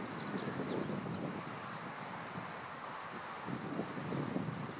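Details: Male meadow bunting calling on alert after catching an insect, riparian forest, Japan, mid-July 2015: bursts of three to five very high, short ticking notes spaced about a second apart, with low rumbling background noise beneath.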